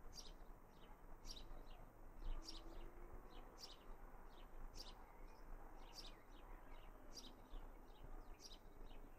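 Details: Young house sparrow calling in a garden in Raunds on 19 June 2018: short, sharp chirps repeated roughly once a second, some doubled, over a steady low rumble of background noise.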